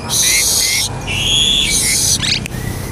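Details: Asian pied starling song used as a lure to prompt other starlings to sing: long harsh, buzzy, rasping phrases broken by short whistled notes, delivered at close range.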